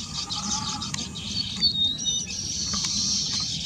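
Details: Baya weaver (Ploceus philippinus philippinus) beginning nest building: a continuous high, buzzy, sizzling chatter with thin whistled notes woven through it, over a steady low rumble of background noise.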